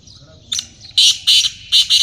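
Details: Black francolin in a hunting setting: a brief rasping introductory note followed by four loud, grating, strident bursts in a rhythmic sequence, with faint bird twittering behind.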